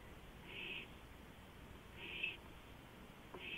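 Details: Owl on a porch at 2:05 AM in April 2015; three quiet, hoarse hissing screeches spread over a few seconds against constant low background noise.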